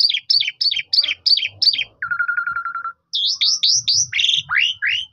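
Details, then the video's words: Asian pied starling singing, phone-recorded to prompt other starlings to join in: six rapid paired chirps, a steady warbling whistle of about a second, then a series of high upward-curving whistles and falling slurs. "Burung Sederhana Ini Bisa Mengajak Burung Jalak Suren Lain Ikut Gacor Terus"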